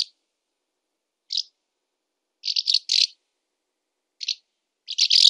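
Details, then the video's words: Barn swallow giving short separated bursts of high scratchy, rattling notes with pauses of a second or more, ending in a louder grating burst. "Ev Kırlangıcı"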